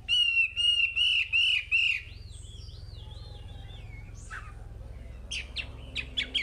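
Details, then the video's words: Chinese hwamei singing loudly to prompt untrained caged birds: a few clear, repeated whistled phrases, then softer looping whistles. Near the end come brisk chipping notes. "Suara Wambi Gacor Untuk Pancingan Hwamei Bahan"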